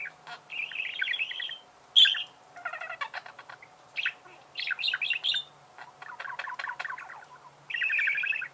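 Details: Budgerigars warbling in chattering bursts of chirps and buzzy trills, with a sharp high squeak near two seconds and rapid clicking rattles, over a low steady hum.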